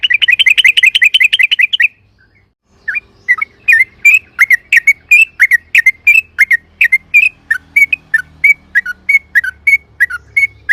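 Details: Yellow-vented bulbul lure song: a quick burst of rapid chirps, a pause, then a steady series of separate, sharp, slightly slurred whistled notes, roughly three per second.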